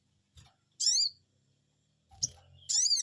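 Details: Sogon bird responding to a lure, two bursts of high, squeaky, down-arched 'cuiit' notes a second and a half apart, with a soft low hum and a faint knock in the background.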